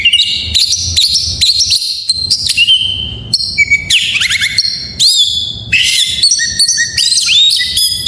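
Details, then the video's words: Full isian song of an Oriental magpie-robin, used as a tutor to draw song from lazy birds: rapid, varied whistled phrases with upward and downward slurs, sharp chips and short buzzy notes, continuous and loud throughout. "Suara masteran burung Kacer || pancingan KACER full isian"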